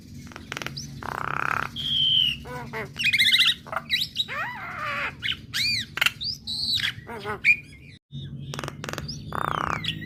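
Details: Female Javan myna song meant to prompt hearing mynas to answer, a varied medley of grating buzzes, sharp clicks, whistled notes and upswept chirps with brief gaps, a faint low background hum throughout.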